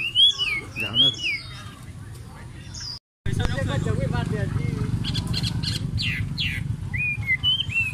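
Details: Pair of caged Chinese hwamei singing at a busy market, drawing a crowd; clear, rich whistled phrases with sliding, curling notes at the start and end, broken by crowd chatter and people talking in between.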